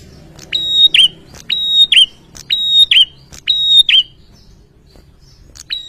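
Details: A male prinia sings insistently to draw rival males into answering, repeating a bright sustained whistle ending in a quick falling note about once a second, five phrases in a steady run.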